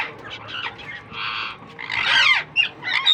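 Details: Ringneck parakeet hatchlings of a young captive pair breeding for the first time, making rough, hissing squawks in short uneven bursts, loudest near the end, over faint background noise.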